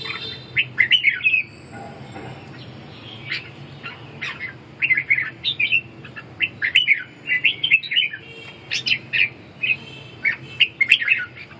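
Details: Lively red-whiskered bulbul singing short, bubbly phrases of clear chirps and whistled notes, separated by brief pauses over about eleven seconds.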